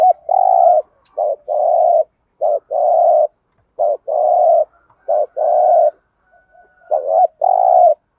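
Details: Spotted dove giving a 'thúc gù' cooing call in the 'Thổ' voice style, used as a decoy for trapping birds; deep, mellow coos in short-long pairs, a brief note then a drawn-out hoot, repeated steadily with short silent gaps.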